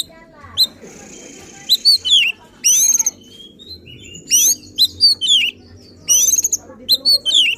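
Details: Oriental magpie-robin in agitated, rival-provoking song: clusters of sharp high chirps and downslurred whistles repeated in bursts roughly every second, with one long buzzy note early on.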